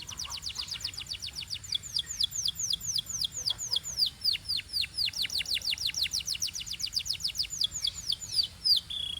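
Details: Canary singing in Belgian style: a long run of rapid, high, downward-sweeping whistled notes, about four per second, forming a steady rolling trill that speeds slightly toward the end.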